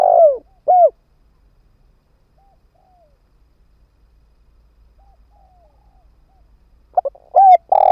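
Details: Spotted dove kept as a ground decoy to lure wild doves: the tail of one cooing phrase, a long quiet stretch with faint soft notes, then a new low coo phrase beginning.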